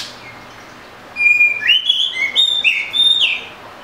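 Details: Oriental magpie-robin song: after a second of quiet, a strong phrase of sustained whistles stepping between lower and higher pitches with brief upward slides, delivered continuously for about two and a half seconds.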